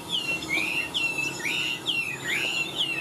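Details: Chinese hwamei in a cage, a big bird singing high: loud clear whistled notes, each sliding down then swooping upward, repeated about once a second with short gaps, over a quiet room hum.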